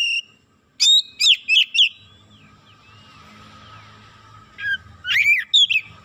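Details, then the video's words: Oriental magpie-robin (kacer), roused to excitement and unloading its isian repertoire, gives a quick run of four loud chirping whistles, then a quieter stretch of faint thin whistles over a low hum before more sharp notes. "DENGAN HITUNGAN DETIK KACER NAIK EMOSI BONGKAR ISIAN"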